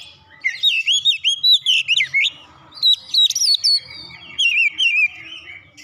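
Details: Oriental magpie-robin singing with mimicked Java sparrow phrases: bright whistled notes that wobble up and down, delivered in short bursts of quick syllables separated by brief pauses, over a quiet background.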